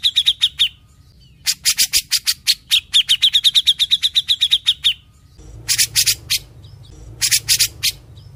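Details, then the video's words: Grey-cheeked bulbul (cucak jenggot) in full active song: quick sharp repeated notes, a pause, then long runs of harsh rattling chatter with a rapid even series, followed by two more short bursts of chatter. "SUARA CUCAK JENGGOT GACOR DOR"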